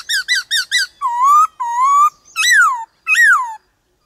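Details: Varied 'changing-voice' song of a white-cheeked laughingthrush, played to stimulate birds and teach young ones the wild style: four quick chirped notes, two long rising whistles, then two loud downslurred calls.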